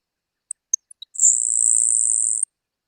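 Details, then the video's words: Grasshopper Sparrow singing its distinctive song in Santa Barbara County: a few thin, very high ticking notes, then a dry insect-like buzz held just over a second. The species hides low in grass and is hard to see. "Uh, but they sing and their song is quite distinctive. Let's listen to a grasshopper sparrow singing."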